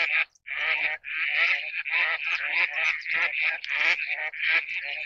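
Eastern spot-billed duck giving harsh, nasal quacks in a rapid, uneven run, about one and a half per second, with a thin, tinny quality.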